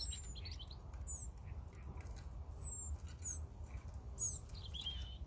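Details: European robin singing: thin, high whistled phrases with quick sweeping and falling notes, spaced about a second apart, faint over a steady low rumble of background noise.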